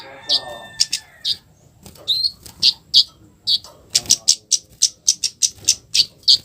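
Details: Scarlet-headed flowerpecker with a harsh provoking call, meant to make other flowerpeckers respond at once: sharp, high, dry chips, single and in quick doublets, repeated roughly every third of a second, with faint low voices underneath.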